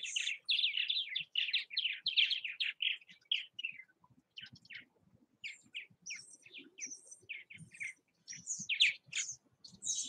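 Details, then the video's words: Purple martins at nest houses in Southwest Missouri: a fast run of gurgling chirps, then scattered higher squeaky notes and chips over soft low rustling. "Purple Martin activity at bird houses."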